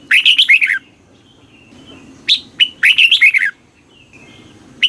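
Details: Red-whiskered bulbul, a caged bird in Thailand, singing southern master phrases used to excite birds and teach chicks: dense, fast runs of liquid warbled whistles, two long phrases with a crisp note before the second.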